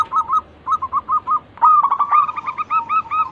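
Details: A local zebra dove sings as a lure for other birds: four separate soft cooing notes, then a louder continuous run of fast, hooked, stuttering coos.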